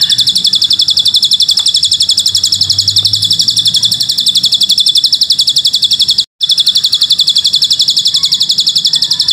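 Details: Bar-winged prinia (ciblek gunung) singing long cililin-type phrases, recorded for training young birds: an unbroken stream of shrill, evenly spaced high notes near four per second, interrupted by one short gap.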